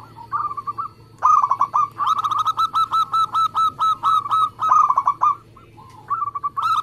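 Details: Local zebra dove, a contest-type songbird, used as a lure recording to set other doves singing: a long, fast string of clipped, rolling coo notes lasting about four seconds, followed by a short softer phrase, with a low background hum.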